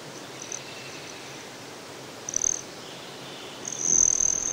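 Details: At Great Sand Dunes, Colorado, a broad-tailed hummingbird gives a few scattered high, thin notes, then a brief sharp burst, then a longer sustained buzzy trill near the end.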